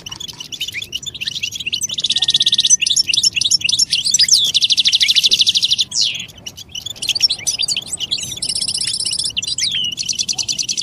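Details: European goldfinch song used to get other goldfinches singing: rapid tinkling twitters broken by long buzzy trilled rattles, several repeated, with sweeping slurred notes between and a brief thin whistle early on.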